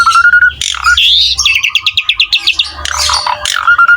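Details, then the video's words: Asian pied starling singing in vigorous gacor style for a tutor recording: clear level whistles bracket a fast rhythmic series of about fifteen sharp, repeated chip notes, with rising whistled slurs and a low hum beneath. "MASTERAN BURUNG JALAK SUREN GACOR"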